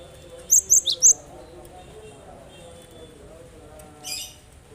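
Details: Cinereous tit (gelatik batu) played to prompt other birds to sing: four quick high sharp chirps in a burst near the start, then a softer buzzy high note later, over a steady low hum.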